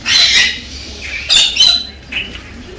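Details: Galah parrot courting a female with bright, squawky bursts: a long one at the start, then two shorter ones close together, then a faint trailing chirp.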